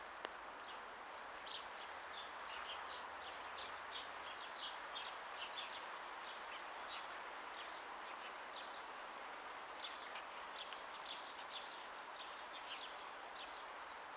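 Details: Fieldfares in the Middle Urals, Russia, give short, harsh chattering notes scattered throughout, several birds overlapping against a steady hiss of outdoor background noise.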